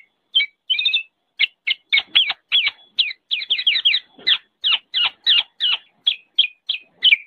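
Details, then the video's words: Black-naped oriole (kepodang) singing in a training recording for songbirds: a rapid series of short, sweeping chirps spaced about a third of a second apart, some paired, steady and evenly loud with no other sounds. "MASTERAN BURUNG KEPODANG"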